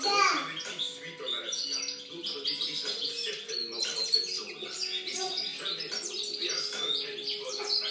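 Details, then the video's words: European goldfinch singing in 2013, a long run of bright, liquid twitters and rapid chirps crowding the upper register, with steady lower tones and murmuring in the background. "Chant chardonneret 2013"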